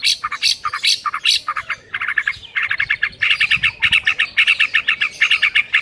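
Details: White-rumped shama song played as a morning lure to train a silent bird to sing; loud, rapid, bright chirping notes, some phrases rising to high whistles, delivered in quick repeated bursts of two to three per second.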